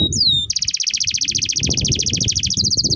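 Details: Canary singing a long master song for training canaries: a brief swooping whistle, then a rapid even trill of high repeated notes at several per second, changing pace near the end, over low rumble.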